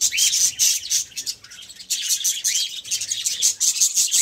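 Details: A budgerigar, while eating and playing, sings a busy, scratchy warble of quick chirps and squeaks, steady and high-pitched.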